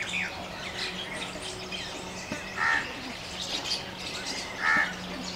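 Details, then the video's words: A small flock of Jungle Babblers in open forest, allopreening and mock fighting, chatter constantly with harsh, squawking calls in bursts about every two seconds, against a busy background of other chirps and a steady low hum. "Jungle Babbler causing chaos in open forest with calls & mock fighting"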